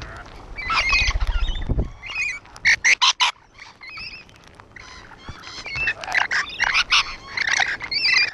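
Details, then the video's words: On a wall, rainbow lorikeets produce a rapid run of sharp rasping bursts, then a stream of shrill chattering squawks and whistled notes from several birds, with a low rumble early on. "Rainbow Lorikeets on the wall 2"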